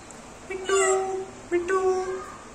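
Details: A pet Indian ringneck parakeet talks in two short, clear, human-like phrases about a second apart, with a sweet, steady voice and a quiet room behind.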